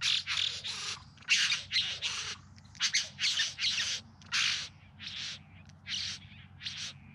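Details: Bowerbird singing during courtship display in the Yarra Valley near Melbourne, filmed in September 2020: harsh, hissing, buzzy bursts repeated in uneven runs, roughly forty a minute, with a low steady hum underneath.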